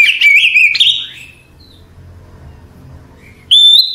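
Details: Oriental magpie-robin at night: the tail of a warbling whistled phrase, about two seconds of near silence with a faint low hum, then a new bright whistle begins.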